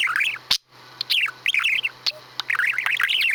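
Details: Squeaky, rambling chatter of a pet male budgerigar performing his normal farting-noise repertoire, recorded May 2017. Quick rising and falling chirps come with occasional sharp clicks.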